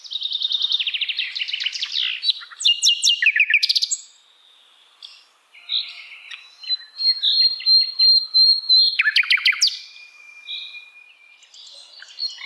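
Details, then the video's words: Asian brown flycatcher song for training songbirds to copy: rapid high chattering trills, a pause, then a long thin sustained whistle broken by sharp chips and a lower steady tone. "Sikatan londo masteran yang mudah ditiru segala jenis burung kicauan"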